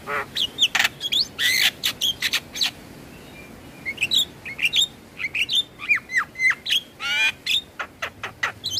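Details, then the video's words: Black-winged starling song played morning and evening for stressed caged birds: loud harsh clicks and rasps, a short pause, then varied slurred whistles and chattering notes. "Terapi Burung Jalak Stres Malas Bunyi Rutin Putarkan Suara Jalak Kebo Setiap pagi dan Sore"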